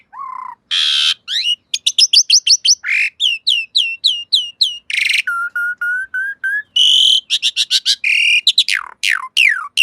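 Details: Asian pied starling singing in a master recording for cage-bird training: varied loud whistles, harsh raspy bursts, rapid chirp series and a run of five level whistled notes.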